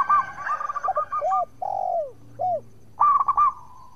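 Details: Zebra dove of local stock singing as a lure for rival doves: a burst of quick clipped notes, then several low, curved coos with pauses, and a final short rapid cooing flourish.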